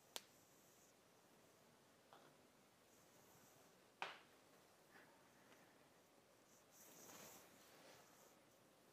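A quiet indoor room with a few sharp clicks and snaps, a soft thud near the middle and a brief rustle toward the end, without any whistling or animal voice.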